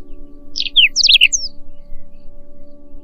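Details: Whinchat singing a short, interrupted phrase of dry chirps, squeaky notes and thin descending whistles, packed into about one second. Silence follows apart from a faint steady background hum.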